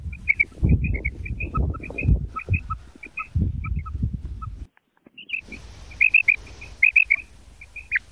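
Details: Female quail calling: short, bright clicking notes repeated in quick irregular runs, with a pause midway, over heavy low rumbling and handling noise.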